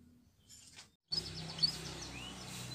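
A Belgian canary sings a quick run of high, chirping notes and trills after a faint opening, over a low steady hum.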